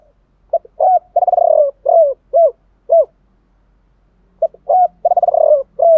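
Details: Decoy spotted dove cooing in the 'gọi ba hậu' style with 'thổ pha' voice, used to provoke wild doves: two phrases, each of short hoots, a rapid rolling stuttered coo, then separate mellow falling coos, with a quiet pause between.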